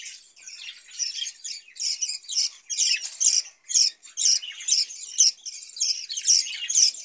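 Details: Caged budgerigars warble in loud pulsing bursts about twice a second, each a cluster of high squeaks and scratchy chirps, with constant chatter between bursts.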